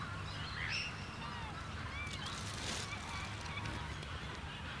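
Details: Black swan in Sydney, Australia, in August 2000, walking with its young, gives a few soft, brief, thin honking bugles over a steady low rumble of background noise.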